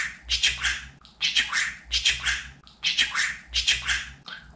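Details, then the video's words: Pet budgerigar talking indoors, its voice meant to teach other budgies words such as Babacık, Aşkım and Cici kuş: raspy, buzzy speech-like phrases repeated roughly every 1.3 seconds in a small room. "Babacık Aşkım Cici kuş Demeyen Konuşmayan Muhabbet Kuşu kalmasın"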